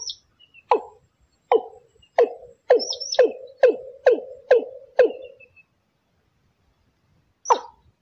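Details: Watercock lure call, in a Thai style, used for trapping: deep, hollow notes, each a short falling burst, about eight in a row roughly every half second, then a pause and one more note; faint high chirps from another bird.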